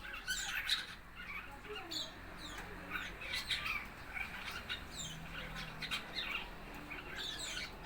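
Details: Four-month-old red-eyed fig bird practising its chatter, giving dense, irregular sharp chirps and squeaks through the whole stretch, with a faint low hum behind.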